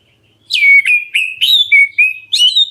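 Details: Black-breasted Oriental magpie-robin calling to draw replies from other birds: a lively string of loud, fluty whistles, each slurred up or down, some with scratchy buzzy starts, sung at a quick, uneven pace.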